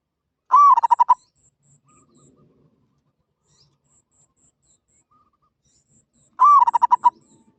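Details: Repeated katok banir call of a zebra dove: two phrases roughly six seconds apart. Each is a long slurred coo followed by a burst of short rapid notes, with soft rustling and faint background noise in between.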